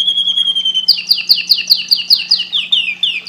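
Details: Singing canary opens with a sustained pure whistle, then breaks into a rhythmic series of loud, falling slurred notes, about four per second, with a clean background.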